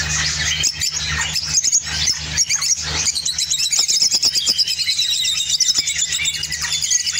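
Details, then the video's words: Opline orange lovebird in Spain, singing a busy, high-pitched chatter of scratchy chirps and clicks, with a run of quick repeated squeaky notes toward the end, over a low continuous hum. "Spain Opline Orange Love bird singing"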